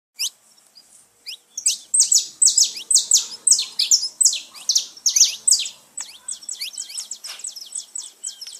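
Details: Saffron finch song played to stimulate pet birds: a few thin, scattered notes, then a dense run of sharp, high, downward-slurred chirps several per second, bright and rapid.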